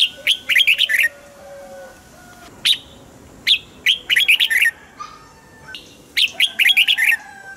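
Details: A caged red-whiskered bulbul sings to excite other caged birds. It gives short bubbly clusters of bright chirped notes, in groups of four to six, at intervals of about a second. A faint steady hum runs underneath.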